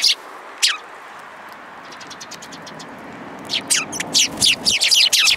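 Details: Sparrows coming to be fed, competing for food on a hand at a Tenmangu shrine in Japan, 3 May 2022; two sharp chirps early, then a rapid burst of loud high chirps and chatter in the last two seconds.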